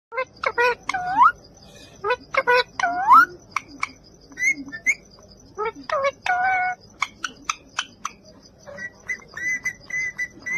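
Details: Talking parrot producing a rapid run of speech-like syllables with bending, harmonic tones mixed with short sharp whistles and chirps, in bursts over about ten seconds against a quiet background.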